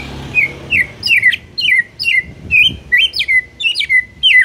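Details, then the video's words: Loud, steady singing of a white-rumped shama: a string of clear, high whistled notes, each sliding down and ending in a flick, delivered about twice a second. "MUTAI BISU SONTAK NGAMUK PLUS GACOR KOAR KOAR"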